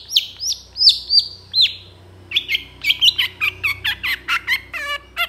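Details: Long-tailed shrike song packed with imitations, played as a tutor for other birds: drawn-out slurred whistles, then a fast string of scratchy chirps ending in a buzzy trill.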